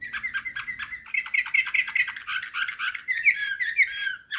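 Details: Canary singing in the nightingale-like Slavujar style: evenly repeated clipped notes lead into fast buzzy trills and rolling tours, bright and continuous with varied whistled phrases near the end.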